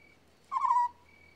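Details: Short low trill from an African scops owl, one rolling note a third of a second long, set against a soft high whine and a faint low hum.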